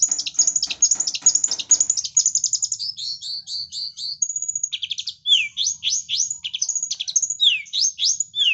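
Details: Long-tailed shrike copying lovebird sounds: fast bursts of shrill chirps give way to thin buzzy trills and then a string of sharp, downward-sweeping squeaks repeated about twice a second.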